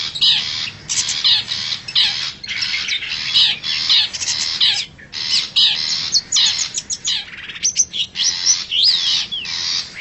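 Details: Lure call of a wild forest long-tailed shrike, meant to draw wild shrikes closer: rapid series of scratchy, grating notes mixed with thin whistled sweeps, nearly continuous for ten seconds over constant background hiss.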